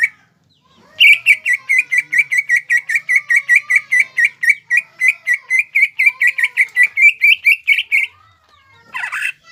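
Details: Greater green leafbird from Indonesia in full, energetic song meant to rile rival birds: a long, even series of rapid, clipped whistled notes repeated about four per second for seven seconds, ending in a harsher burst.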